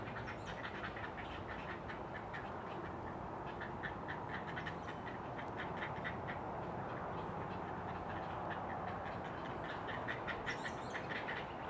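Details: Heron rookery nest 100 feet up in loblolly pines on Chesapeake Bay's Eastern Shore, 20 June 2018 near 5 am: a long run of rapid clicking, clacking pulses rising and falling in density, backed by a continuous hum.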